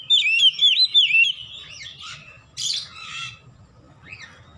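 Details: Oriental magpie-robin, song for training caged birds at home: three loud looping whistled notes in quick succession, then scratchy buzzy phrases and a harsh burst, fading to a single soft whistle over a low hum.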